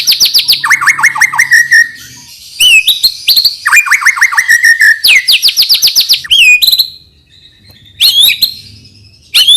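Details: White-rumped shama singing to encourage young birds: bursts of fast falling whistles and lower looping phrases separated by brief pauses, ending with scattered sharp high notes.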